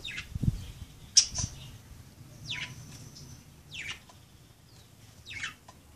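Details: Budgerigars playing, uttering descending chirps roughly every second and a half, with a sharp click-like note and a thin sustained whistle, plus low knocks early on.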